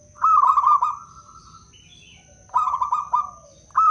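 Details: Wild local zebra dove from Blora, Indonesia, recorded as a lure to attract and trap doves and prompt silent ones to sing: a rolling, trilled coo phrase held about one and a half seconds, repeated after a pause, with a steady high electronic tone behind.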